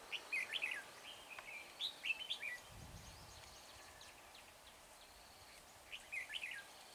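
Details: Red-whiskered bulbul singing to lure wild birds during trapping at Hương Pagoda, 24 March; quick liquid chirped phrases repeated several times early on, then a pause and another warbled burst near the end, with soft rural background noise.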